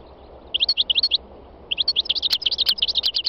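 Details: Wild European goldfinch song: two phrases of rapid, tinkling high twitters, the second longer and denser, over steady broadband background hiss.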